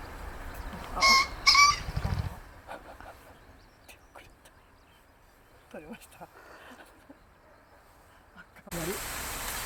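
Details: Male green pheasant crowing in early spring among fields or riverbanks while wing-drumming, declaring territory and appealing to females: two loud, harsh, harmonic notes in quick succession, then quiet rustling, with music starting at the end.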